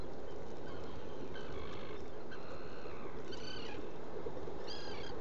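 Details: Black guillemot inside a nesting burrow on Seal Island NWR, Maine, picked up by a burrow camera on 29 June 2018 in the afternoon; two short, high, wavering whistled calls near the end over a steady loud hiss.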